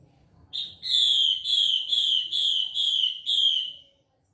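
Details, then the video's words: Female Chinese hwamei call used as a lure: a short note, then six clear, slightly buzzy whistles, each sliding downward, about two per second, against a quiet background. "Pancingan hwamei betina."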